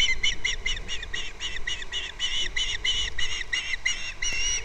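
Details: Osprey at its nest on Captiva, recorded by a live nest camera in February, giving a long rapid series of high whistled chirps, about three each second and steadily repeated, over constant low wind rumble.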